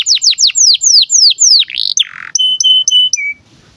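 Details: Breeding-condition canary song used as a tutor for young birds; loud, repeated high notes falling in pitch, a brief harsh buzzy burst, then four pure steady whistles on one pitch and a lower closing note.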